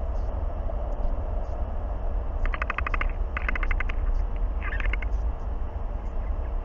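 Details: Northern royal albatross chicks, about 157 days old, squabble as a neighbouring chick comes to argue, in two quick bursts of rapid, rattling clattering chatter, then one harsher note, over steady roaring wind after a storm; early July.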